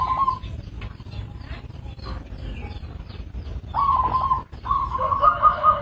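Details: Local zebra dove producing two drawn-out trilled coo phrases on an even pitch after a short opening note, over soft background hiss.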